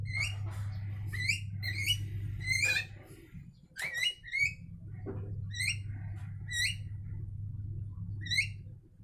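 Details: Two mynas calling back and forth with repeated harsh, rising chirps, dense at first and then more spaced out, over a steady low hum.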